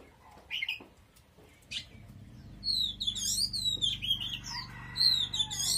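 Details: Oriental magpie-robin in full song: a quiet start with a few isolated notes, then a rapid stream of sweet, warbling whistles over a steady low hum.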